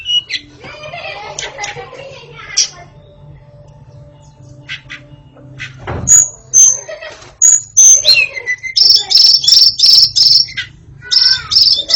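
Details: White-rumped shama kept for tutoring young birds: scratchy chatter and clicks open, then after a lull come loud pure whistles and a string of rapid, evenly repeated high ringing notes, with a faint background hum.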